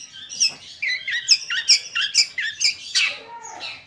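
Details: Long-tailed shrike of the Madura type, giving a varied, scratchy chatter of sharp chirps and short downslurred whistles, roughly two notes a second, ending in a harsher rasping burst.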